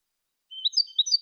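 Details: Brief burst of European goldfinch malagueño song from a teaching CD: under a second of bright slurred twittering notes after silence.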